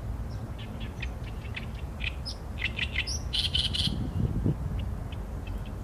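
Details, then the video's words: Oriental reed warbler (Acrocephalus orientalis; also labelled great reed warbler, about 19 cm) sings a run of harsh, chattering notes, several per second, building to a grating burst, over a steady low rumble. "개개비 - Acrocephalus orientalis - 大苇莺 - bird song"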